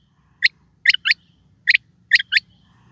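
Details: A calling quail gives short, bright, abrupt notes, singly and in rapid pairs, with clear gaps between the bursts and nothing else audible.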